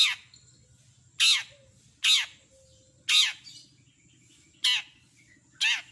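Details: Long-tailed shrike (cendet) singing actively in a mimicry-rich tutor recording for songbirds: loud, harsh rasping squawks, each a short burst, repeated about every second with quiet gaps and a faint low hum beneath.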